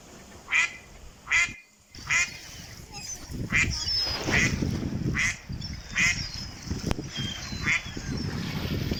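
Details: Ducks calling naturally, loud separate quacks spaced about every three-quarters of a second, each a sharp nasal burst, over a low rumbling background.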